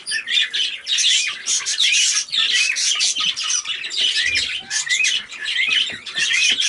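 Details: Warbling of a cobalt recessive pied budgie: continuous rapid high-pitched chirps, squeaky notes and harsh scratchy bits running almost without break, with brief dips in loudness.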